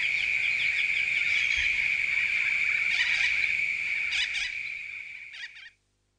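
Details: Continuous shrill screeching from a large gathering of corellas in the Grampians, Victoria, Australia. The chorus is punctuated by a few louder grating squawks, and the sound fades out and ends after nearly six seconds.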